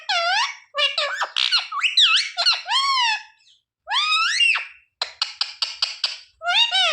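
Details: Pet parrot talking, saying words such as sita-ram, jay shree ram, mummy and papa; dense squeaky speech-like syllables, rising whoops, and a quick run of repeated clipped notes near the end.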